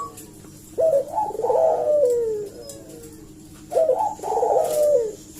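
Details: Actively calling Barbary dove, a lure to provoke an answer: two similar phrases about three seconds apart. Each is a quick rising note and then a rolling coo that fades downward, over steady low background hiss.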